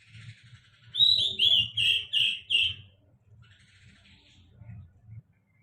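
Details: A songbird gives a short phrase of five loud, clear whistled notes, each slightly downslurred and about half a second apart, then falls quiet, with only a faint low hum and soft distant chirps.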